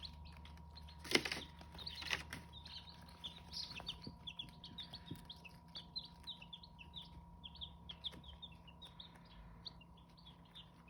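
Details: Chicks of the Hmong chicken, or Qaib Hmoob, giving rapid thin cheeps throughout, with a couple of loud knocks near the start and a low hum in the background.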